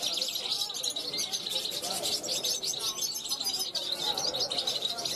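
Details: Young European goldfinch from 2021 on a balcony, calling to passing wild goldfinches; continuous bright twittering and tinkling trills, with some faint lower sounds mixed in.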